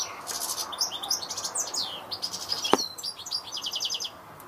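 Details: Fast, liquid twittering song of a European goldfinch: strings of quick, high chirps and ringing trills run almost without a break, interrupted once by a sharp click partway through.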